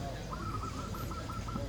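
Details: Captive zebra dove (local perkutut) at a cooing contest in Yogyakarta on a rainy 21 November 2020 gives a quick run of soft, even cooing notes, about five or six per second at steady mid pitch, over heavy low rumble.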